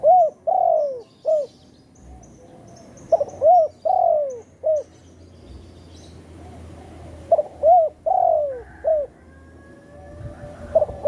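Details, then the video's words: Spotted dove coo for luring birds into traps, satu kuk or dua gayau style; mellow phrases of short clipped notes and a longer downward-sliding coo repeat several times, with faint low rumble underneath. "suara burung tekukur satu kuk atau dua gayau"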